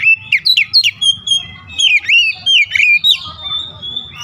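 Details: Oriental magpie-robin pouring out a fast, varied string of whistled notes, quick sweeps and trills packed closely together, ending in a steady thin whistle.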